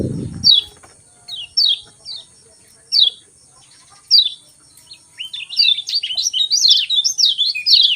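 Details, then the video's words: Morning 'ciak ciak' chirping of a lemon-bellied white-eye, meant to get lazy white-eyes singing: separate sharp downslurred chirps every second or so, then a rapid, high, tumbling warble at the end; a low thump at the start. "Ciak Ciak Joss Kecial Kuning Pagi Hari Bikin Kecial Kuning Malas Bunyi Cepat Joss Gacor"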